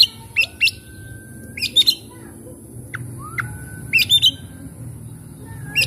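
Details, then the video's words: Oriental magpie-robin song played to prompt a stressed, quiet bird to sing, made of short paired sharp chirps and long flat whistles in spaced bursts over a faint constant hum. "cukup skali pancing kacer macet stres malas bunyi langsung gacor"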